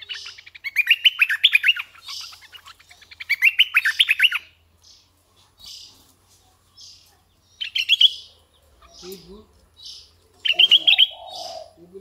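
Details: Red-eyed bulbul decoy bird giving two rich, rapid warbling phrases, followed by scattered short chirps and faint low calls from other birds.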